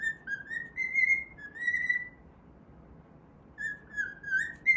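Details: Singing while it plays, a pet cockatiel gives a string of pure whistled notes that climb slightly, breaks off for over a second, then resumes with a short rising run.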